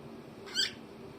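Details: A male pet cockatiel starting his day with breakfast gives one brief, bright chirp against a quiet indoor background.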